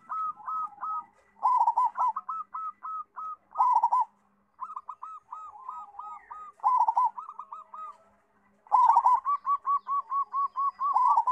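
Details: Local zebra dove in full song, prized for its loud voice as a tutor for young birds: repeated phrases of quick staccato coos with short gaps, ending in a long, very regular run of evenly spaced notes.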